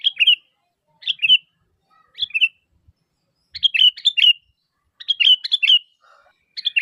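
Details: Lively sooty-headed bulbul call used to lure other bulbuls into replying, a series of short, bright, gurgling chirp groups at irregular intervals of about a second, some doubled or tripled, with faint soft knocks beneath.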